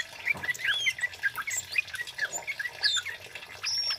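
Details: Loud 'cit keres' singing of a male orange-headed thrush (kemade), used for luring and tutoring: rapid chirps and looping whistled notes in steady bursts over a hissy background.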